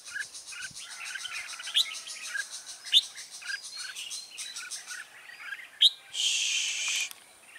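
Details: Red-whiskered bulbul used as a decoy to lure wild birds to a trap, recorded 24 September 2017; bright high chirps and warbled phrases repeat irregularly, with a sharp burst of hissing noise near the end.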